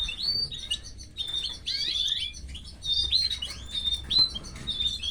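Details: Canary chicks being fed by their mother, giving bursts of high, thin chirps and squeaky notes that come in clusters about every second, with short quiet gaps between the bursts.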